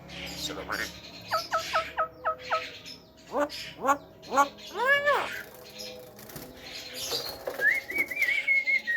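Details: Javan myna able to talk, played to provoke other mynas: a quick run of short downslurred notes, loud upswept nasal calls repeated about once a second, then harsh chatter and a wavering whistle.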